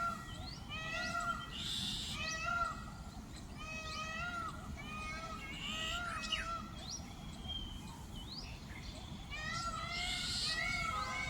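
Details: Peafowl near a roof during a peacock dance display: several overlapping loud, wailing, harmonic calls repeated throughout, as if more than one bird is calling, over steady background noise.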